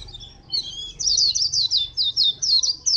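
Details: At Phù Yên, 2 October 2015, a white-eye gives a bright, high-pitched song: soft thin notes, then a quick series of loud rippling, downslurred twitters about four per second, clean against a quiet background.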